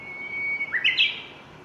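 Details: Japanese bush warbler singing repeatedly on 6 May 2017, filmed on a Panasonic DC-FZ85 camera with simple wind-noise protection: a long steady whistled note, then a quick rising, twisting flourish ending the phrase.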